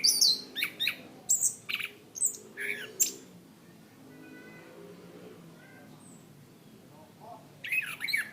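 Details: Chestnut-capped thrush (anis kembang), a kept songbird, on a tutor recording for training cage birds. Bursts of sharp, high, varied chirps and trills for three seconds, a quiet gap with faint low hum, then a fresh burst of bright notes.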